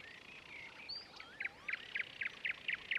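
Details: A sedge warbler singing at Ilmatsalu on 26 May 2017: a chattering song with varied whistles and slurs giving way to a rapid run of dry, scratchy notes about four per second, over faint background birdsong.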